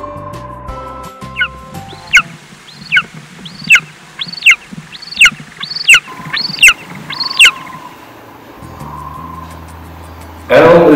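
Golden eagle giving a series of about eight thin, high yelping notes, each dropping sharply in pitch, roughly one every 0.7 seconds, over soft background music.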